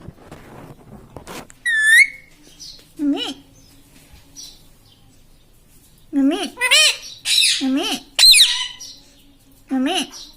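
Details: Household talking parrot, said to repeat "mitthu" and "mummy", producing short, strongly harmonic squawks and bent whistles in clusters, with a long quiet stretch between and a faint low hum indoors.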